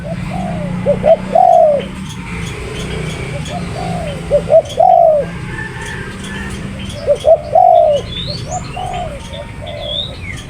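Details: Spotted dove giving three repeated coo phrases about three seconds apart, each a pair of quick short notes leading into a longer, falling coo; faint high chirps from other birds in the background.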